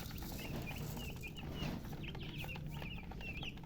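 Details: Colour-dyed poultry chicks thirsty for water give scattered high peeping chirps, fewer and softer than a full chorus, over strong low rumbling noise.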